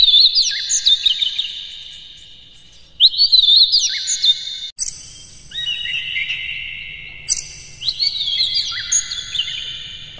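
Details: Oriental magpie-robin singing a long, varied song used as a lure to excite the bird: sharp whistles, rapid twittering passages and sustained high tones in repeated bursts.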